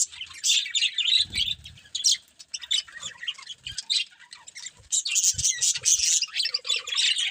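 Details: Several budgies chattering continuously with dense, scratchy warbles and quick high chirps, the loudest bursts piling up near the end, with occasional soft low thumps.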